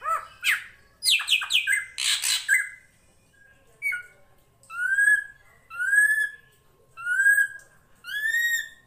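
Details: Drongo, local srigunting krantil type, singing in a master recording for training songbirds: an opening jumble of harsh, dense chattering notes, then four long, loud, slightly rising whistles spaced about a second apart.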